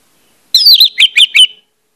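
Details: Orange-headed thrush singing a lure phrase meant to get other birds singing: a fast string of about five loud, rich, slurred whistles in roughly one second, each note bending down.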